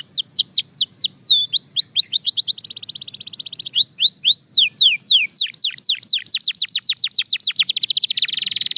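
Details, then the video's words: Belgian canary in a practice recording, singing a long varied phrase: downward-swept whistles, a rapid rolling trill, more swooping notes, then a dense buzzy trill to finish. "Shocking Canary Singing Progress – You’ve Never Heard This Before!"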